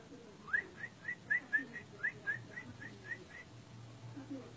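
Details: Orange-spotted bulbul: a clean series of about twelve short rising whistles, steady in pitch and spaced roughly three to four per second, fading slightly toward the end, with a faint low hum underneath.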